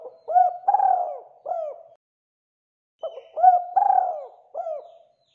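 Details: Spotted dove call intended to prompt other doves to answer: two repeated coo phrases three seconds apart, each a brief note, a rolling, falling purr and a short final coo, mellow and low, with nothing else audible.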